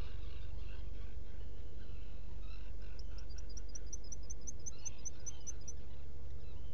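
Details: Black guillemot at a nesting burrow on Seal Island NWR, Maine, 18 June 2018 around dawn: a run of about fifteen thin, very high peeps, roughly three per second, over steady low rumbling and harsher distant calls.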